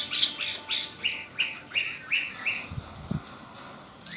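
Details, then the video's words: Kept as a pet, a red-winged blackbird repeats a sharp, slightly descending chip note about eight times, roughly three per second, ending with a single rising whistle and a couple of low thumps. "Hermoso y exótico canto del Mirlo ala roja ó Red winged black bird"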